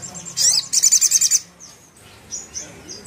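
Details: Ruby-cheeked sunbird song used to enrage a sogon: a burst of shrill, piercing high notes, then about six rapid, evenly spaced sharp chirps, followed by faint thin whistles.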